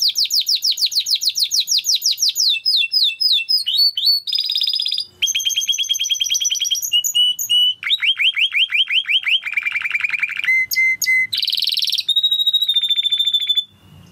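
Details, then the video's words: Timbrado canary singing a training song of rapid trilled tours that change every second or two: descending sweeping notes, high buzzy rolls, a dropping rattle, sharp clipped doubles and a long, even, high whistled trill. "Υour canary will sing UNSTOPPABLY"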